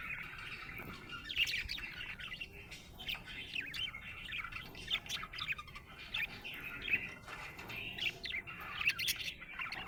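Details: Happy budgerigar chattering steadily, mixing soft warbles with brighter sharp chirps that pop out roughly every second or so.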